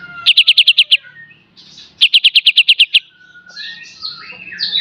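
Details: Kapas tembak singing a full beset and tembak master song for cage-bird training: two quick runs of sharp, high repeated notes, about eight per run, followed by softer twittering and slurred chirps.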